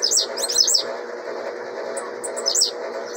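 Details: Juvenile blue-black grassquit sings quick clusters of high, sharp chirping notes, a pause, then another short burst, over constant low background hum.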